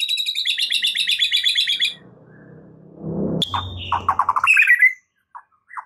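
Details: White-rumped shama lure song to turn a stressed bird into an eager singer: a dense, high, rapid trill, a pause with low rumbling noise, then quick stuttered notes ending in a rising, twisting whistle.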